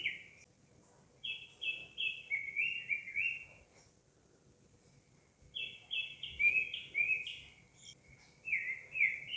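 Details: Chirping of a citrine wagtail from Nubra Valley in Ladakh, India: two bursts of rapid high chirps, each a run of six or so short buzzy notes dipping in pitch, separated by a quiet gap of about two seconds.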